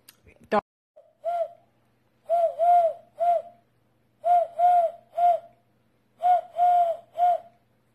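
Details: Eurasian collared dove calling: a brief sharp click, then three low hollow three-note coo phrases, the middle note longest, repeated about every two seconds in a quiet setting.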